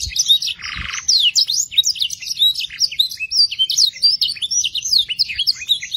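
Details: Canary song played to young canaries to stimulate them and fill their song with varied phrases. Fast run of bright rising and falling whistled notes, with a brief burst of buzzy noise near the start.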